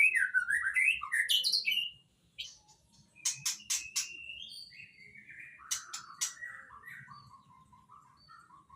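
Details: Shama of Nias lineage, called murai, pouring out a rich string of whistled trills, sharp metallic notes and descending slurred phrases, ending in soft repeated whistles, over faint low background noise.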